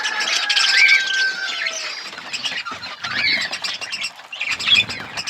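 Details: Budgerigars chatter in an outdoor aviary with scratchy warbling, a few clear whistled notes, and softer chirps as the flock noise varies in loudness.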